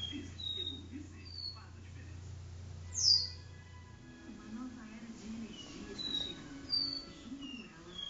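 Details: Caboclinho capuchino seedeater singing its do-re-mi style song indoors in a living room: scattered clear whistled notes, some sliding or falling, with a louder downslurred note midway, over low indoor hum and faint voices.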